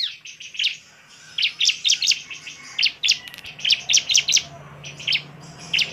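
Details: Bar-winged prinia singing hard as a provocation call for other prinias: clusters of two to three sharp high chirps separated by brief gaps over a soft low background hum.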